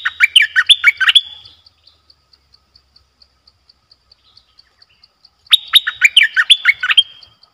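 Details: A caged bulbul kept as a trapping decoy, recorded 18 December 2021, sings two quick bubbling phrases of rising and falling whistles separated by several seconds of soft, regular insect ticking.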